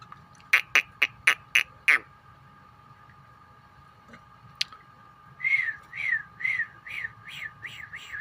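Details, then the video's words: Four differently coloured lovebirds chatter: a quick run of six sharp chirps, a pause, then a repeated series of arched, squeaky whistled notes over a faint hum. "Lovebird Ampat warna yang berbeda sambil ngekek ngoceh bersama"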